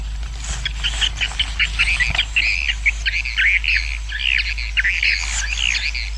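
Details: Swiftlet roosting colony, a sound played to attract swiftlets: busy twittering chatter of many squeaky, warbling chirps packed closely together, rising and falling continuously over soft background noise.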